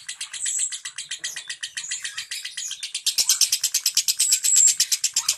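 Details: Lovebird singing in the ngentik style, played to prompt silent lovebirds to sing: a long rapid run of high, harsh chattering notes, steady and dense, growing louder and brighter in the second half.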